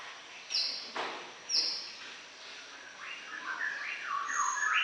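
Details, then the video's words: Greater green leafbird song opening with a few sharp high chips, then a run of warbled notes that climb and drop in quick steps through a lower register, over faint background hiss. "Suara Kicau CUCAK IJO Gacor Panjang"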